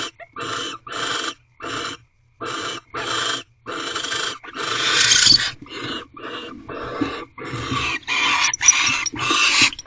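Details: Barn owls mating in an owl box at Corral, just after midnight on 24 February 2023. Short rasping hisses are followed by longer, louder screeching bursts that grow harsher toward the end.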